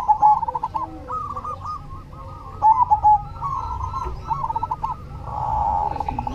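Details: Zebra dove (perkutut cemani) in active song: repeated bubbling phrases of rapid coos, several loud bursts, over continuous cooing from other doves around it.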